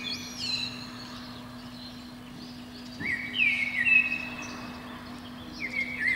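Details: Common blackbird singing from the top of a pine below a window on a spring morning (its song runs about 5 to 7 am): short, fluty whistled phrases, some ending in a thin twitter, over a steady low electrical hum.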